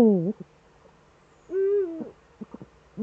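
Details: Eurasian eagle-owls in the Eifel on 11 March 2013 at 18:47, both birds back at the site: a loud, wavering, harmonic call that falls then rises, a second drawn-out arched call after a pause, and soft knocks between.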